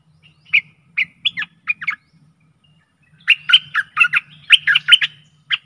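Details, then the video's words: Stripe-throated bulbul decoy song for aggressive wild birds: a few spaced chirps at first, then a dense, tumbling run of quick warbled notes, with a steady low hum beneath. "เสียงต่อนกดอกแตงEp.92Birds songs(สำหรับต่อนกป่าตัวดุ!!)"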